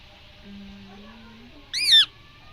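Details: Rose-ringed parakeet from India giving a single loud screech, an arched shrill note lasting about a third of a second, preceded by a low steady hum and soft background noise.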